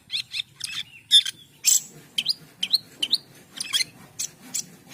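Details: Asian pied starling singing a string of sharp chirps and upward-flicking whistles, spaced about twice a second, with occasional harsh broadband notes.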